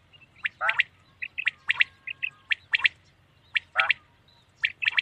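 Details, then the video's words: Common quail calling at night: short bright notes in quick groups of two or three, mixed with harsher, broader squawking bursts and sharp clicks, roughly one burst per second over a quiet background. "Common quail sound best awaz night"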